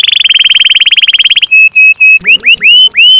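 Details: Canary singing: a rapid pulsed trill, then several flat whistled notes and a run of curling upswept notes, loud and clear.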